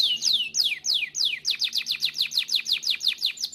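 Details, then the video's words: Timbrado canary training song: loud, descending whistled swoops, first slow and spaced, then quickening to a rapid steady run of falling notes, about four to five per second. "Best timbrado canary singing most powerful song - Video to training canaries birds"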